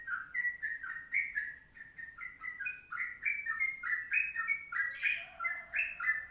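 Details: Tutor recording of a Sooty-headed bulbul's long ropelan song: a quick, continuous string of whistled slurred notes, about four per second, interrupted near the end by one short, harsh, broad burst before whistling resumes.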